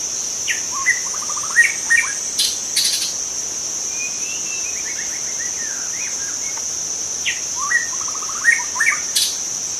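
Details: Wild white-rumped shama from forest, singing to lure others of its kind: quick stuttering note series, a descending chain of short whistles and sharp clicks in bursts, against a continuous high insect hum.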